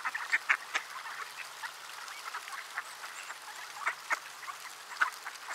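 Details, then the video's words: A crowd of ducks out in the cold at Sainte-Adele, Quebec, Canada, on 10 December 2019 at 3:35 PM, -3°C feeling like -9; a steady murmur of soft quacks, with louder single quacks standing out every second or so. "Many Ducks in the Cold"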